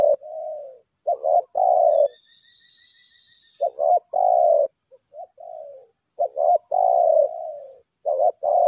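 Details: Spotted dove kept as a decoy, lambung kuk type, calling competitively: repeated low hoarse coos in stuttering groups, one long drawn note after each group. A high continuous whine and a brief faint whistled note sound in the background.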